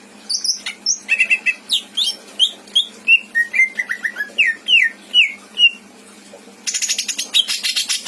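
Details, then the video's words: Pet greater green leafbird from Indramayu, kept caged and singing eagerly with mimicked fill-ins: a rapid sequence of slurred, downward-sweeping whistles at varied pitches, a brief pause, then a loud rasping buzzy burst. "Burung cucak ijo isian mantap!!!"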